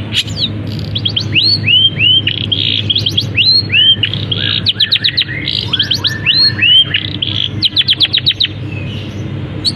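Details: Captive long-tailed shrike sings a canary-like imitation song with other birds mixed in: arched, rising-then-falling whistles repeated in runs, interspersed with rapid high ticking trills.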